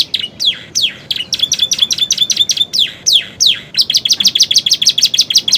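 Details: Canary singing with borrowed bar-winged prinia and sooty-headed tit phrases: a string of loud descending whistled sweeps, roughly two a second, giving way to a quick, steady high trill at the end.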